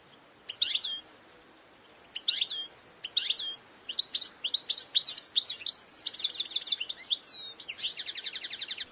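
A European goldfinch gives bright, liquid twitters, first in separate bursts and then in a quickening run of tinkling notes ending in a fast buzzy trill.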